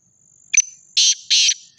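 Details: A Sindhi black francolin (Francolinus francolinus) gives harsh, grating, rasping notes in quick bursts about a third of a second apart, over a thin, steady high whine.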